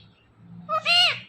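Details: Ringneck parrot talking: one loud nasal, speech-like word, a brief tone followed by a longer arched syllable that rises and falls, heard amid the word "Kim" repeated around it, in a quiet indoor setting.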